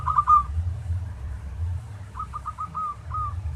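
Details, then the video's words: Local zebra dove singing as a training master: one short trilled burst ending in a drawn note, a pause, then a slower series of five or six separated rising-falling notes, with low hum throughout. "Masteran Tarik Perkutut lokal agar GACOR-Ampuh.!!!!"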